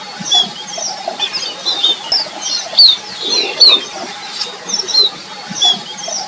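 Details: Red avadavat calling while eating: thin, high, short squeaky notes, given singly at irregular intervals roughly every half second to second, over a steady background hiss and faint clicks.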